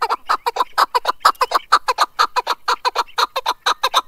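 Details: Keklik, a male chukar partridge, recorded 2021, delivering a rapid, evenly spaced string of hoarse chuk notes, about two per second, clear and close.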